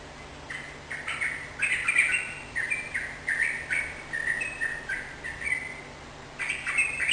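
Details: Sooty-headed bulbul singing in a lively, energetic style, played to prompt a kept bird to answer and sing; bubbly whistled phrases around the middle pitches, repeated in short bursts across seven seconds over a steady low hum.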